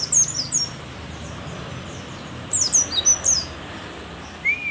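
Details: Old mountain white-eye from Merapi, a rare endemic, singing: two short bursts of high, sliding twitters separated by a quiet gap, with a brief lower whistle at the end.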